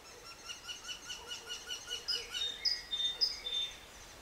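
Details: Eurasian wryneck (Jynx torquilla) at its nest cavity in Poland, 2009, gives a quick run of nasal, even 'quee-quee-quee' calls, about four a second. Thin high whistles from other birds come in partway through.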